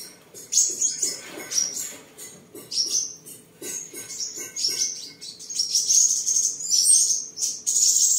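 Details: Seven-colour sunbird kept at home in Tân Phú, Đồng Nai, Vietnam, singing, displaying and sparring on 23 July 2022; chattering high thin chips about once a second build into denser sibilant trills and rising squeaks, with a faint low hum.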